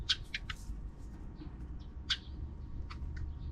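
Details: Sparrows heard in the afternoon outside the camera view: short, sharp chirps in small clusters with gaps between, over quiet background hum.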